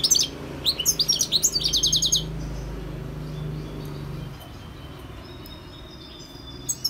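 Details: European goldfinch in the wild delivering a two-second burst of bright, high twitters and rattling trilled notes. Quiet follows, with a faint low hum and a few soft distant chirps near the end.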